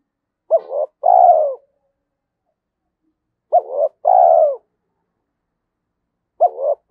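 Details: Repeated low cooing of a spotted dove in the thổ Thúc Đấu voice, fit for decoy trapping in the forest: three two-part phrases roughly every three seconds, each a short wavering note followed by a longer descending coo. Quiet background.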